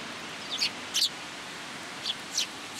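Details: Sparrows on cherry branches at a Tenmangu shrine on a rainy day, 26 March 2023, coming to be fed; a few short, high chirps in two pairs, one near the start and one near the end, over steady rain hiss.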